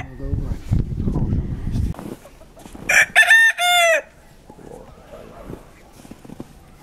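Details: Pavlovskaya breed rooster crowing in winter at Barnaul, Siberian Altai, on November 28, 2015: low rumbling noise for two seconds, then one broken, harsh crow of three quick bursts with a falling end.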